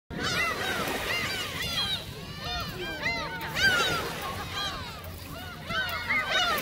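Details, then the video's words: Flock of gulls at Seonjaedo being fed shrimp crackers, many birds calling at once in overlapping arched, squealing cries that rise and fall, dense bursts with brief lulls, faint background murmur. "선재도 갈매기 새우깡"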